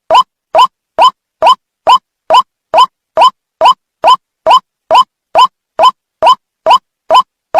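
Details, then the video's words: White-breasted Waterhen lure-call recording, clear: a short, rising, nasal note repeated evenly about twice a second in a steady, unbroken series. "SUARA PIKAT BURUNG RUAK RUAK"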